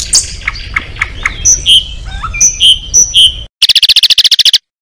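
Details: Contest Oriental magpie-robin at the competition pole with isian filler song: scattered clear whistles and short slurred notes, followed by a sudden rapid burst of high pulsed notes.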